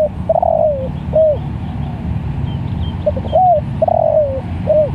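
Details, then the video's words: Spotted dove calling to other doves: repeated hoarse cooing phrases, each a brief rising note followed by a longer drawn-out falling coo, two phrase groups, with low rumbling background noise. "Tekukur Sirambo Malemanggil Tekukur||Suara Bagus"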